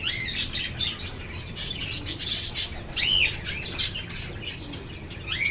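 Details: Several lovebirds chirping: bright, arched high chirps repeated rapidly and overlapping in a busy chorus, with steady low background hum.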